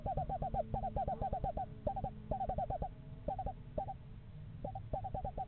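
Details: A pair of eastern screech owls checking out a nest box in a yard in November; a rapid run of short hollow notes rises in a bouncing trill, pausing briefly and starting again, over low background rumble.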